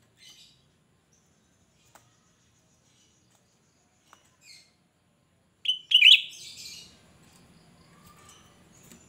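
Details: Cucak rante, an untrained bird singing steadily as a lure for others: scattered faint ticks and chips, then a loud shrill phrase with a scratchy buzzy chatter trailing off.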